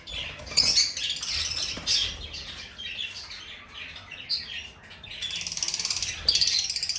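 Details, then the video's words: A lovebird sings with steady high, raspy chatter and squeaky chirps, a quieter stretch in the middle, then loud busy twittering that picks up again near the end. "Lovebird Singing & Chirping Sounds"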